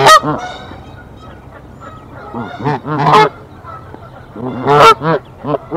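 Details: Canada geese defend their tree nest from an intruder goose in Decorah, 1 April 2024: scattered, quieter, irregular honks of varying length, with bursts near the start, middle and end and brief gaps between.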